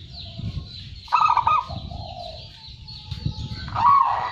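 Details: Prize-winning local zebra dove in strong song, delivering two separate phrases of rapid, tremulous cooing notes, the second ending in a drawn-out coo, against a constant low rumbling noise.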